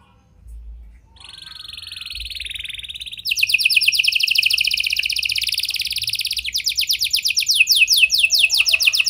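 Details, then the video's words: Domestic canary in vigorous song with prenjak and lovebird style phrases, used to stimulate stalled canaries to sing: a soft opening, then a buzzy high phrase, then loud, very fast repeated trills and rolling chattering runs to the end. "Pancingan Kenari Gacor Cengkok Prenjak Lovebird! Ampuh Buat Memancing Kenari Macet Agar Gacor"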